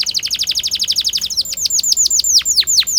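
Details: Canary singing to encourage young birds to learn: a fast dense trill of short notes, then slower deep downward-sweeping whistles repeated several times.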